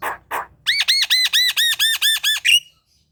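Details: Javan myna (jalak kebo) singing in full voice, kept at home, in the morning: two short rough notes, then a rapid run of about nine arched, harmonic, squawky notes of even loudness, ending abruptly, then silence.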